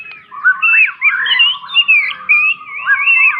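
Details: White-rumped shama song used as a tutor for young birds: loud, clear whistled phrases that swoop up and down, given in short bursts separated by brief pauses, in a quiet setting.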